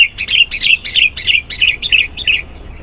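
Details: Sooty-headed bulbul in lively lure song for attracting wild bulbuls: about eight rapid, liquid, rising-and-falling whistled notes in an even series, fading slightly toward the end.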